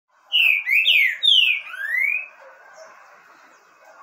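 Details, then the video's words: A green-winged saltator (Saltator similis) sings four loud, slurred whistled notes in about two seconds, the last rising, then a soft background murmur. "ESSE CANTA BONITO"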